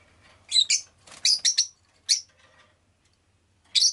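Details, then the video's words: Rosy-faced lovebird chirping in a series of sharp, shrill, rasping notes, some doubled or tripled, spaced irregularly over a few seconds with short silent gaps and a faint low hum beneath. "Lovebird Chirping Sounds"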